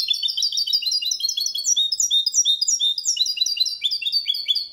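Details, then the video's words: Mule of goldfinch and canary in Malaga (limpio copia) training song: rapid, evenly repeated high twittering notes in long runs, bright and metallic, no other sounds. "Mixto jilguero cantando copia malaga _ Hybrid of goldfinch singing for training songs"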